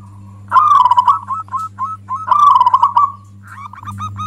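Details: Local zebra dove (perkutut) singing a loud song said to anger other zebra doves. Two vigorous warbling coos with trailing chopped notes come about two seconds apart, and a softer stuttering phrase follows over a persistent hum.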